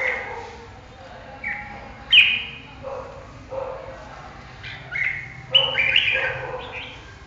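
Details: Red-whiskered bulbul delivering scattered whistled phrases, with some bright rising-falling slurs and some lower rounded notes spaced a second or so apart, and a faint low background hum.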